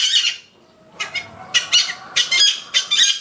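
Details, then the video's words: Yellow-vented bulbul heard in the wild: a grating opening burst, a short pause, then a quick run of scratchy, chattering notes repeated about twice per second. "burung trucukan di alam liar"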